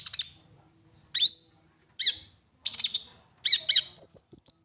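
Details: Lure song of an olive-backed sunbird, meant to set other sunbirds singing: separate high, sharp notes, some sweeping down, followed by a buzzy cluster and a thin, level high trill at the end.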